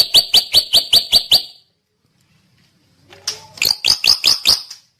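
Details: Drongo song in two bursts of rapid, sharp whistled notes about three per second, separated by a silent gap of nearly two seconds.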